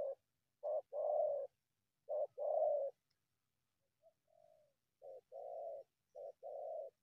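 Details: A wild spotted dove approaching a decoy from the bushes gives mellow cooing phrases, each a short coo followed by a longer rolling one. A softer falling coo is heard midway.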